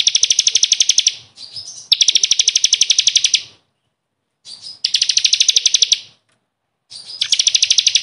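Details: Bar-winged prinia, called ciblek kristal, singing 'gacor' as training song for caged birds: long dense trills of fast, piercing high notes, broken by short silent cuts between phrases.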